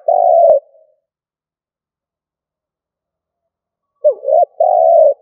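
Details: Decoy spotted dove, stuttering-style cooing: one long hollow coo, a long silence, then a wavering double note and another long, steady coo.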